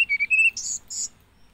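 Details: Short phrase from a hill blue flycatcher: two clear level whistles followed by two hissy, buzzy high notes, with quiet background.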